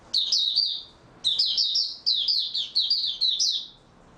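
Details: Oriental white-eye, 03-03-2022, rested after a good night's sleep, giving a short chirp pair, then a lively string of rapid, high, slurred tweets lasting over two seconds.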